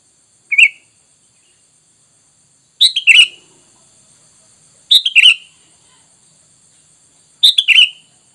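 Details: Sooty-headed bulbul used as a pikat lure to make wild birds reply: a lone chirp, then three lively bubbly phrases of several quick notes falling in pitch, about every two seconds.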